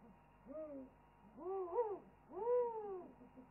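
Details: On a wildlife webcam, owls call in chorus with three rich, arching hoots that swell and fade, each rising then falling in pitch, separated by brief quiet gaps.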